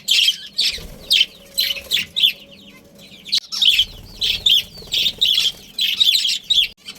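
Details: Budgerigars, a breeding pair in a family group: strong, regular high chirps, repeated roughly every half second for the whole stretch with one short gap, over a faint hum.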